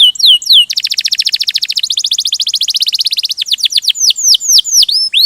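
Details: Singing canary, a couple of swooping notes followed by a long rapid rolling trill in two pitches, then spaced descending chirps and sweeps.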